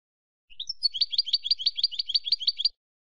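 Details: Bright, rapid goldfinch phrase from Spain: a couple of rising introductory chirps followed by a rolling series of about twelve crisp twittered notes at an even pace, then silence.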